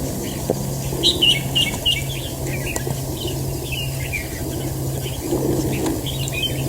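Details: Red-whiskered bulbul, a fighting bird in a trap, giving bursts of short whistled and warbled notes, some rising and falling, scattered through the recording over a steady low mechanical hum.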